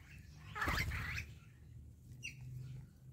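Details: A wattled starling from a flock visiting a garden in Namibia each morning gives a brief burst of harsh, wheezy chatter, then a few thin high squeaks, over a steady low rumble.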